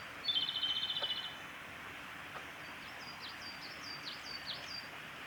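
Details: Male Japanese robin singing at Yanagisawa Pass, 28 April 2019: one fast, high rattling trill of about ten pulses lasting a second, followed by another bird's faint, thin, repeated downslurred notes over steady background noise.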